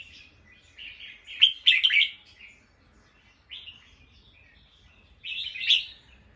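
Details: Bulbul alarm calls after hearing a sound: a series of harsh buzzy chatter phrases, the loudest in the middle, with shorter bursts following at intervals.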